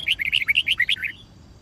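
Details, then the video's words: ['White-cheeked red-whiskered bulbul singing fighting song for training other birds: one quick, rich phrase of about eight bubbling, slurred whistled notes lasting just over a second, then quiet.'] "Luyện Chim Chào Mào Má Trắng Học Giọng Nhanh. Chào Mào Hót / Chào Mào Hót Đấu/Kích Bổi Hót"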